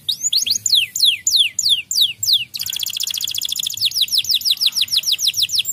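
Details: White canary song that reportedly agitates other canaries: repeated falling whistled sweeps, an abrupt switch to a very fast rattling trill, then the sweeping notes return.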